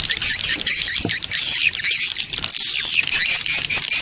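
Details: Swiftlet lure recording played to attract swiftlets, a dense continuous chorus of high chirps and squeaky twittering with short rising and falling whistled notes.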